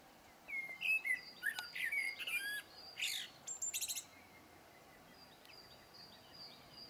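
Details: Song of a blackbird: a few low fluted whistles run into a rapid high chattering flourish, followed by a long near-silent stretch with faint thin high whistles from another bird.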